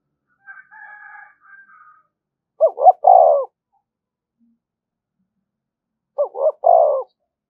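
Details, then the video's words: Spotted dove used as a decoy, calling continuously to incite fighting: faint higher bird calls at first, then two stuttered low coo phrases about three and a half seconds apart. "Tiếng chim cu gáy mồi thúc đấu rút bổi liên tục, chim cu đất thúc đấu"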